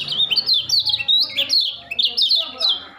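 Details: Young white-eye just learning to sing: a dense, fast run of high, thin twittered notes, each a short sliding whistle, tumbling over one another in an unbroken stream for three seconds.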